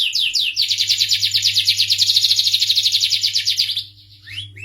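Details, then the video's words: Starblue canary singing melodiously: rapid, high trilled phrases of repeated short notes that change pace, then stop near the end with a brief final chirp; a faint low hum underneath. "suara merdu kenari starblue"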